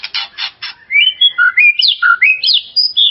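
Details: White-rumped shama song used as a lure to excite another shama and make it sing more: a few harsh, rasping bursts, then a rapid run of clear whistled notes rising and falling in pitch, some sliding upward.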